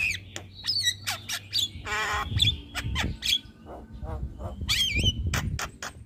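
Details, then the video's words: Javan myna (jalak kebo) in a cage, recorded singing as a master track for training and provoking other birds: sharp clicks, a long grating rasp, and twisting whistled notes, over low background rumble and knocking. "Burung Jalak Kebo Gacor Mental Juara Tetap Bunyi Siang Malam Pas Buat Masteran dan Pancingan"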